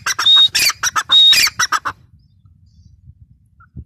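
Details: Grey francolin giving two loud harsh calls, each with a clear whistled note inside raspy chattering syllables, over about two seconds; the rest is near silence with faint low noise.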